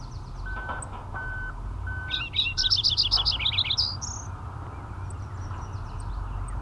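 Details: Lincoln's sparrow singing beside Lake Superior in Marathon, Ontario, Canada, on May 19, 2010: a quick, bubbly jumble of high trilled notes lasting under two seconds, over a low steady rumble with a few faint electronic-sounding beeps.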